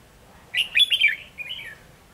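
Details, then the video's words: Red-whiskered bulbul kept as a trapping decoy, 7 November 2016, giving a short lively phrase of four loud whistled, warbling notes followed by a softer falling trill. "Bẫy chào mào"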